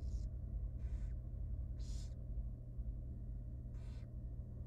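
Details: Tiny wild barn owl chick in its nest box at feeding time gives four harsh, breathy hisses, each about a quarter second long, over a constant low hum.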